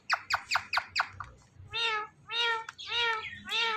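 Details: Indian ringneck parakeet kept as a talking pet, first making five quick clipped notes, then a few drawn-out nasal, voice-like syllables with rich overtones, spaced about half a second apart.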